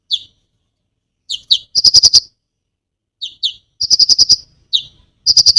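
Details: Konin singing to provoke other birds: pairs of sharp descending chirps lead into fast, even rattles of six to eight clicks, a pattern repeated twice in quick succession against silence.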